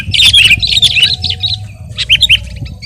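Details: Brief Sooty-headed bulbul phrase: a handful of sharp, slurred, chirping notes, then a short gap and a few more bright notes over a quiet low rumble.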